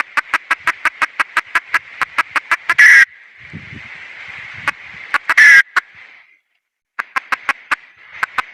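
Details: Long, fast runs of sharp clucks from a red junglefowl hen, about four per second, twice ending in a loud rasping squawk. A quiet gap follows, then more clucking.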